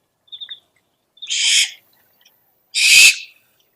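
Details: Owl lure recording: a soft triple chip of high clear notes, then two loud, harsh, hissing screeches about a second and a half apart, each lasting around half a second, with silence between them.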